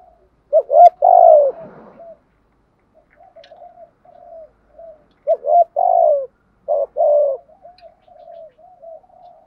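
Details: Spotted dove (cu gáy) cooing in the 'thúc' style with a 'giọng thổ' voice: two phrases of low hooting coos, each with a long drawn middle note, with soft murmured notes between them.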